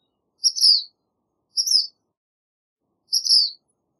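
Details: Three crisp, high-pitched chips from a black phoebe, each slightly slurred downward, the last one after a longer gap, heard against a silent background.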